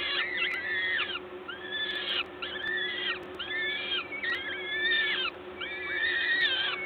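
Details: During a parent's feeding visit at a peregrine falcon nest in Gdańsk, Poland, 14 May 2022, 11:07: drawn-out wheezy wails in separate bursts about once a second, several voices overlapping, with a faint low hum.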